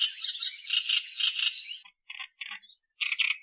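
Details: An Australian reed warbler gives a loud, continuous harsh churring phrase, followed by several short, separated grating notes and a brief high whistle.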